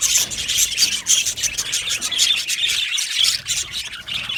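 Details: Happy budgies chirping in an aviary colony give a lively stream of thin, high tweets and buzzy warbling, with clear sharp chirp notes standing out above the crowd noise.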